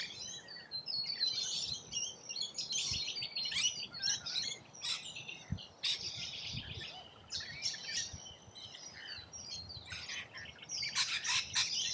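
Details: Australian rainbow lorikeets feeding: irregular bursts of shrill, grating screeches and squeaks, about three or four a second, pausing briefly now and then, with occasional low knocks.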